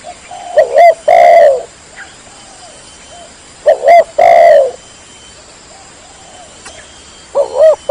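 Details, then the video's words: Spotted dove (tekukur) rival-luring call, with two loud phrases of short coos then a long drawn falling coo, quiet answering coos in the background and a new phrase starting at the end. "SUARA BURUNG TEKUKUR YG PALING AMPUH MEMANGGIL LAWAN"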